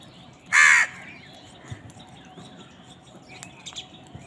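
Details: Crows fighting for food: a single loud, harsh caw lasting about a third of a second, then quiet background with faint distant chirps.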